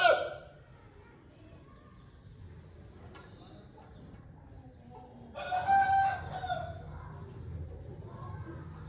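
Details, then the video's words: Home-bred Aseel rooster giving a single crow after a long quiet stretch, a brief loud rough burst and then a level, strongly harmonic call that fades out, over a low background hum. "Home Breed Rooster Aseel Bird Sound Effect"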